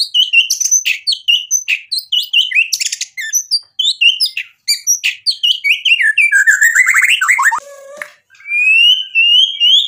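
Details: White-rumped shama singing hard to stir a rival into singing back, its song loaded with imitated material. A fast tumbling stream of varied chirps and whistles, then a descending series of rich notes, a brief low note and thin rising whistles.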